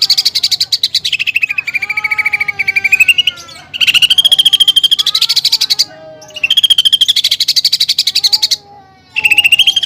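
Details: Greater green leafbird in full, vigorous song, with mimicked fighting-sparrow and woodpecker phrases; long, fast pulsed rattles of bright notes rising and falling, with slurred whistles beneath, separated by brief pauses.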